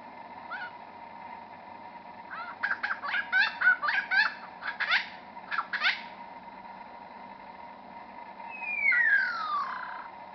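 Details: Superb lyrebird at Bungonia State Conservation Area, unseen in scrub a few metres off, mimicking forest birds: a jumbled burst of sharp clicks and short chips, then a long slurred whistle gliding downward.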